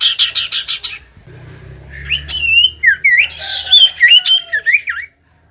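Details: Common iora song meant to coax lazy birds to answer: a fast series of short buzzy notes, then rich warbling whistles with rising and falling slurs, ending abruptly; soft low hum in the background.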